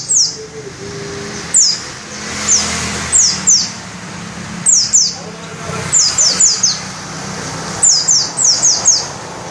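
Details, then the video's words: Open-beaked white-eye, locally pleci dakun ngalas, pouring out a shrill rolling song: high, thin notes sliding downward in rapid runs of three to five, repeated in several bursts with a low hum beneath. "Burung pleci dakun ngalas ngerol buka paruh volume semelit"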